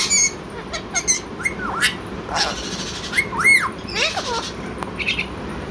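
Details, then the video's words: Blue talking parrot calling "Mithu Mithu" between talk-like chatter: quick clipped syllables, dipping whistled notes, and a pair of arched whistles mid-clip, all over a constant hissing background. "talking blue parrot | funny parrot Calling Mithu Mithu | parrot natural sound & talking"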